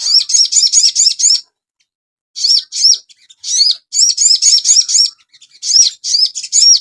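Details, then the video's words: Asian pied starling, a recording for training cage birds: strings of fast, bright, high chirps with repeated looping whistled notes. The bursts are broken by a silent pause of about a second, then the song resumes. "TERAPI BURUNG SOGON – MASTERAN AGAR CEPAT GACOR"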